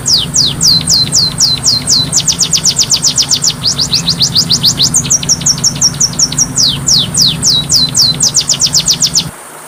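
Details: Masteran recording of an Oriental magpie-robin (kacer): nearly ten seconds of rapid, sharp, descending whistled notes at varying speed, with a brief run of flatter level notes midway, all over a continuous low background hum.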